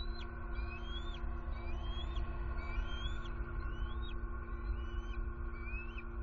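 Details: Bald eagle pair on high alert, returning to their nest at night in Southwest Florida on 23 September 2020, possibly disturbed by an owl, a juvenile joining in; thin rising squeaky notes repeat about once a second over a steady low hum.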